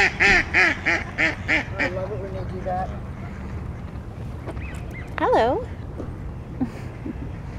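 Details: Ducks at Beacon Hill Park in Victoria, BC: a quick run of five loud, nasal quacks, then scattered softer calls and a wavering, drawn-out call, over steady low rumble and possible voices.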